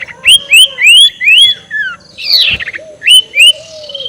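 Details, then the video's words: Ashy tailorbird ngekek call used as a lure to provoke rivals: a run of clear, rising whistled notes, several in quick succession, then a harsh buzzy burst and further rising whistles with a faint lower tone. "SUARA NGEKEK SIRTU BIKIN LAWAN EMOSI || PANCINGAN SUARA BURUNG SIRTU"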